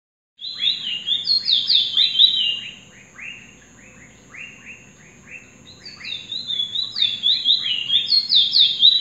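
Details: A captive Chestnut-bellied Seed-Finch (Trini bullfinch), just out of molt, sings at night: a fast run of sweet, downslurred whistles, about two per second, with high sliding phrases, over a faint steady hum.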